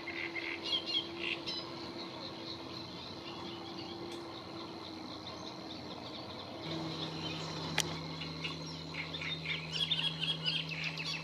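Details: At Lagunas de La Guardia, Toledo, Spain, on 30 April 2022, a Great Reed Warbler sings a steady run of harsh, chattering phrases. Other small birds call and insects buzz, with a low steady hum throughout.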